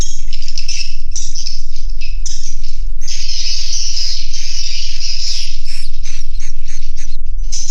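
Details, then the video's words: Many swiftlets calling inside a swiftlet house. Bursts of high, rattling twitters come and go, then merge into an unbroken dense chorus from about three seconds on, with a regular low throbbing hum beneath. "SUARA ASLI DALAM GEDUNG WALET"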